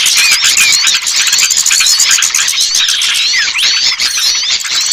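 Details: Small-bird lure call for coaxing shy birds down: loud, crowded high-pitched squeaks, rising and falling slurred whistles and rattling ticks layered together without pause.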